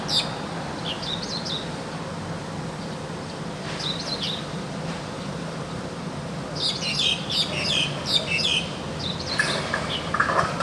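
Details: Wild crested myna singing actively: spaced, wavering whistled phrases give way to bursts of loud, rapid squeaky chirping and chatter, over a constant low hum.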